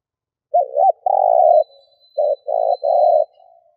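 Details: Lure spotted dove cooing to draw in wild doves: a wavering stuttered coo leads into a sustained mellow note, then a short coo and two longer ones, over near silence with a faint thin tone.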